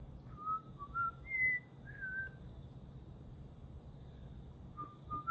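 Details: A cockatiel whistles the Pythagora Switch ("Pitagora Suitchi") step tune in clear, pure notes that rise and fall in short phrases.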